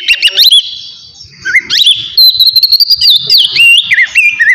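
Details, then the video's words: Kacer, the Oriental magpie-robin, giving relaxed ngeplong song meant to trigger emotion and birahi: clear looping whistles, some rising and falling sharply, a steady wavering note in the middle, with faint music underneath. "TERAPI AWAL KACER NGEPLONG SANTAI COCOK BUAT MANCING EMOSI DAN BIRAHI AGAR KACER CEPAT GACOR"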